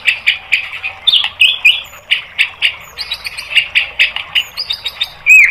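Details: White-rumped shama singing in a training recording for caged birds: a steady series of rich, warbled notes about twice a second, mixed with high clipped whistles and a final loud slurred note.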